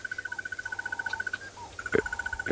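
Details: A Crested Barbet hidden in a tree at Sabi Sand, South Africa, gives a long, even trill of rapid buzzy pulses, about a dozen a second, like an alarm clock ringing. Softer whistles and a brief knock sound behind it.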